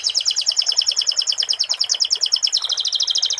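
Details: Canary singing a song tutored with sikatan londo phrases: a steady high rattling trill of rapidly repeated notes, about three per second, shifting slightly higher near the end.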